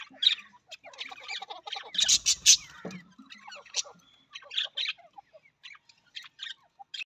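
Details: Budgerigar, Australian parrot: mixed squeaky chirps, a loud harsh burst around the middle, lower clucking notes, then scattered sharp chips and short twitters with gaps of quiet.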